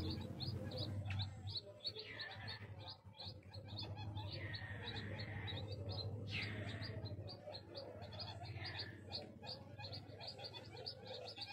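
Crested fireback chicks give rapid high peeps, about three a second, with occasional longer down-slurred notes, over a steady low hum.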